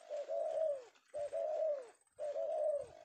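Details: Penguku-type male spotted dove from Indonesia, trapped in the afternoon, uttering three drawn-out, slightly falling coos, each about a second long with brief gaps, quite clean apart from faint low rumbles.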